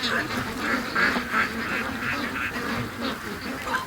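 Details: During the Sunday morning rush, free-range ducks keep up rapid, overlapping quacks, about three per second, in a busy and steady flock chorus.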